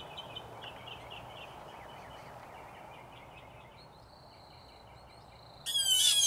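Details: Blue jays, three to five birds, in a territorial battle in a yard tree: faint rapid chirping notes and a thin whistle, then an abrupt loud, grating squawk cuts in at the end.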